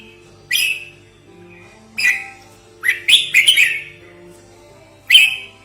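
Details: Red-whiskered bulbul lure call, also used as a tutoring model: isolated sharp upward-sliding notes with a rapid cluster of four or five chattering notes in the middle, over a faint low hum.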